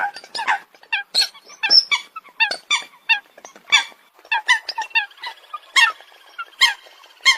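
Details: Coot calling rapidly: bright, squeaky, trumpet-like notes tumbling together in an almost continuous chatter.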